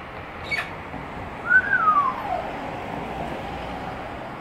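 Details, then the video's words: A female Australian magpie, a daily wild visitor to a home garden and a skilled mimic of barking, whistling, local birds and speech, gives one clear whistle sliding down over about a second after a brief click, against background hiss. "Australian Magpie Mimic - people, dogs, birds"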